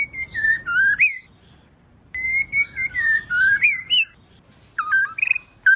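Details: ['Female white-rumped shama sound used to make males sing. Two bouts of sweet, slurred whistles wavering down and then up, followed by a few short twisting notes, over a faint low murmur.']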